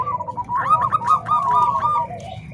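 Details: Bangkok and Cemani Kolbuntet zebra dove voices combined for training other doves: a rapid stuttering run of mid-pitched coos that builds into a loud, warbling cluster, then fades into quieter notes.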